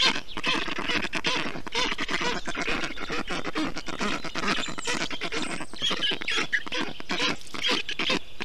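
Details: Black stork chicks in a nest in Estonia on a hot day in June 2021, being cooled by their father with water and moss; continuous hoarse, scratchy chattering from several young, blurred together with brief higher squeaks.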